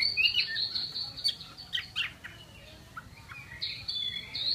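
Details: Chinese hwamei, a kept songbird, giving bright whistled phrases near the top of its range, a burst at the start, a gap of quieter scattered notes, then loud sustained high whistles returning at the end.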